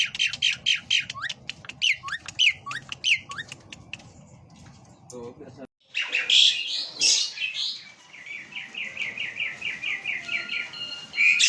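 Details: Asian pied starling, known for many voice variations and imitating human speech, giving quick squawky phrases with upward slurs, a brief lull, then louder harsh notes and a rapid even chatter.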